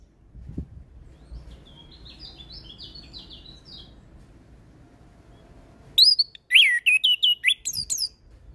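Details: Orange-headed thrush singing in a lively, full-fill style. Faint, quick, high twittering phrases at first, then loud, clear whistled notes from about six seconds: rising and falling slurs in a rapid series of short bursts, with low background rumble.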